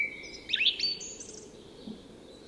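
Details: Song thrush singing at dawn in Tyresta National Park, Sweden; a short burst of high, bright whistled and chirpy notes with a steady thin tone beneath, then fading.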